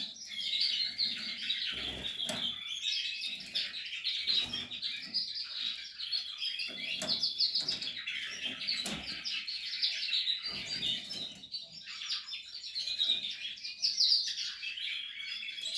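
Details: Portuguese harlequin canary kept for breeding, during nest building: a continuous high, busy twittering warble of rapid chirps and short trills, with occasional sharp clicks and faint low room noise beneath.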